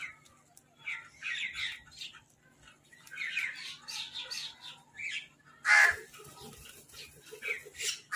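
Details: Crows fighting over food, giving harsh, rasping caws in short bursts, with one louder squawk near the end and lighter chirps from other birds between them.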